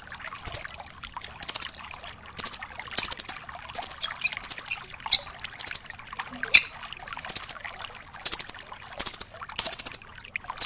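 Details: Velvet-fronted nuthatch (rambatan doraemon), tembakan song for training songbirds such as magpie robins: a long series of short, shrill trills repeated at under a second, with one odd sharp note partway through and faint hiss.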